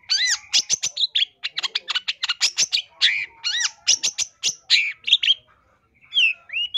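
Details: Long-tailed shrike giving a lively training song made to teach caged birds and lure wild ones, full of borrowed phrases: dense bursts of sharp chirps and arched whistles, then a short pause before rising slurred notes.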